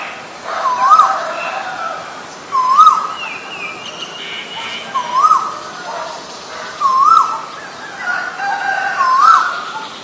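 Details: Asian koel (Eudynamys scolopaceus), with male and female birds present: five loud rising whistled notes, each with a sharp upward hook, come about every two seconds over soft background hiss and faint higher chirps.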